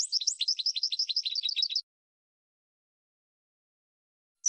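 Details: European goldfinch training song, a single fast run of rhythmic tinkling notes, about four per second, lasting under two seconds, then silence and one lone high note; clean recording.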